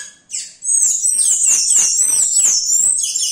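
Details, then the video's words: Yellow-rumped cacique singing while imitating other sounds: a high, sweeping whistled stream that wavers up and down continuously, overlaid with faint clicking notes beneath. "Xexéu cantando imitando!"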